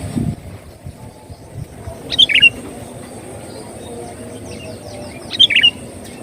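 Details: Sooty-headed bulbul song played as a lure to attract birds: two crisp, bubbling phrases of quick warbled notes about three seconds apart, over a quiet low rumble with a brief thump at the start.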